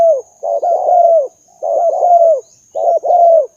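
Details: Spotted dove calls used as a lure for trapping doves: three bursts of low, rolling, purring coos, each of two or three slightly falling notes, separated by short pauses, over a steady faint high-pitched electronic whine.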